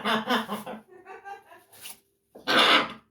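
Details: Pet blue-and-yellow macaw talks in a voice-like babble with chuckling laughter, then lets out a harsh, raspy squawk after a short pause.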